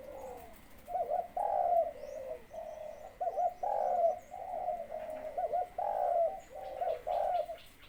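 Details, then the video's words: Malay-line breeding male red-whiskered bulbul, thin clear-voiced and nearly in full feather, prepared to lure wild birds, delivers a long run of bright warbled phrases, closely spaced and gently rising and falling, over faint background hiss. "พ่อพันธุ์สายมาเล เสียงเล็ก ใส ๆ ขนใกล้เต็มพร้อมออกล่าเชลยแล้ว"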